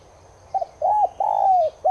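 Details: Streptopelia chinensis tigrina cooing to prompt caged birds to join in: a stuttered two-part note, one arched coo, then a long falling drawn-out coo, and another note cut off at the end.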